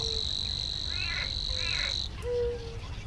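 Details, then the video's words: Savi's warbler in reedbed habitat delivering a high, even, cricket-like reeling buzz for about two seconds before stopping abruptly, while croaking calls sound nearby. "Savi's warbler (Locustella luscinioides) sings in the reedbed"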